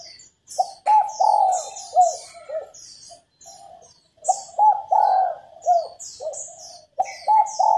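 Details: Cooing of a female spotted dove meant to stimulate males to sing: grouped soft coos with longer swelling notes, repeated after pauses, and high chirping from small birds throughout.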